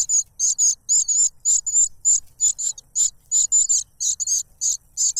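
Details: Noisy cuckoo chick begging and snatching food from a foster parent that feeds it a butterfly: insistent high, sibilant notes in quick pairs and triplets, about three per second, barely stopping.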